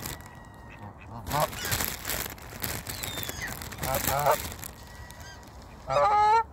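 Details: Noisy geese gather at feeding time among ducks. Their loud, harsh honks come in bursts and grow strongest at the end, over a steady background of scuffling and rustling noise from the crowd.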